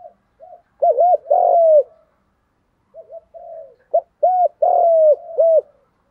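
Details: Field-voice spotted dove urging and calling coo, played to train newly caught birds; two phrases of short soft notes building to paired bowed coos and a long, slightly falling coo, each phrase about two seconds.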